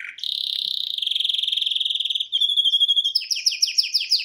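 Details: A male pet canary's song: a rising note leads into a fast, steady, high trill that slows into pulsed notes, then a set of sharp, repeated downward chirps.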